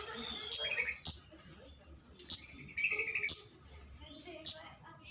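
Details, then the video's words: Flowerpecker calling to lure a rival, giving abrupt high-pitched tick notes at uneven intervals, five in five seconds, over soft twittering and whistles from other birds. "Pancingan burung kemade cabe-cabean GACOR NGALAS memanggil lawan"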